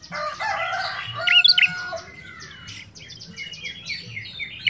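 Busy, high chirping and rapid trills from a prinia, with sharp repeated notes and falling buzzy phrases running almost without pause.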